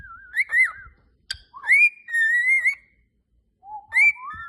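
A cockatiel sings a run of clear, warbling whistles that glide up and down in pitch.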